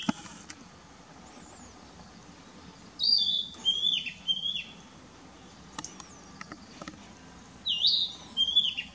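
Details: Narcissus flycatcher singing in a park in Esashi, Oshu, Japan, on 12 May 2017: two bursts of clear, high whistled phrases with sliding notes, about five seconds apart, with quiet gaps between.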